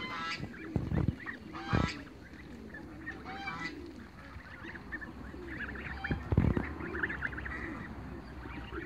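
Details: Young Toulouse geese running in a backyard give short, harsh honks in loose bursts, a few close together, with softer nasal calls between and a steady background rumble.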